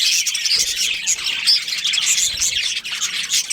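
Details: Several budgerigars from a breeding colony chattering together, high warbling twitters and short squeaky notes running continuously, with a few clear whistles.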